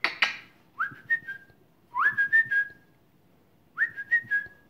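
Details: Pet African grey parrot, just over a year old, talking and whistling with its owner: a sharp click, then three clear rising whistles that level off, roughly one every one and a half seconds.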